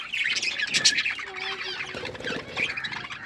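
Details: Several budgies, the small Australian parrots kept as pets, chirp and warble over one another in a lively, harsh, unbroken chatter with a brief louder squawk near the middle.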